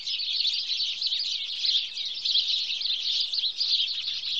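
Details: Sparrows of the house sparrow kind in Wittlich, 2017, keep up a steady, shrill chattering of overlapping chirps, even in loudness throughout, with no other sounds standing out.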